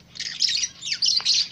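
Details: A white zebra finch in a breeding setup gives a burst of high, nasal, buzzy chirps with a brief downward squeak.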